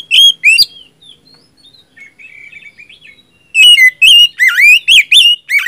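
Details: Oriental magpie-robin singing loud, clear whistled phrases of slurred rising and falling notes in rapid bursts, with a softer warbling passage between. The recording is meant to lure and encourage silent magpie-robins to sing.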